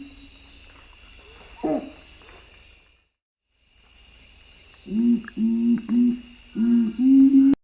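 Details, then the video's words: Nocturnal Curassow, a strictly nocturnal bird of western Amazonian forest that keeps to upper levels, low booming song: after a quiet, faintly noisy start, a run of about six deep hollow hoots in quick succession, the last note longer and steadier. "Listen for a low booming song typically with three notes."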